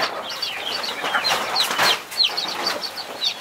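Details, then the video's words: Mother hen protecting 21 baby chicks; sharp, high chick cheeps come in scattered bursts, mixed with rustling and flutter-like noise. "Mother hen protecting her 21 Baby chicks"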